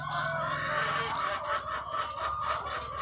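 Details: A farm with thousands of egg-laying chickens: a loud, dense babble of clucks and short rising calls, rapid and overlapping, over a faint low hum.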